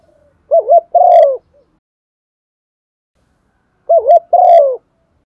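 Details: Spotted dove decoy cooing to incite other doves to call: two identical phrases about three seconds apart, each two quick wavering notes then a long, hoarse, descending coo.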